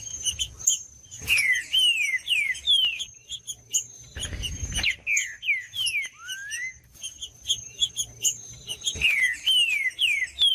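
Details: Song of a green-winged saltator, used to wake a quiet bird's singing: rapid repeated descending whistles in two bursts, a single rising slurred note between, a noisy thump, and a constant high thin tone throughout.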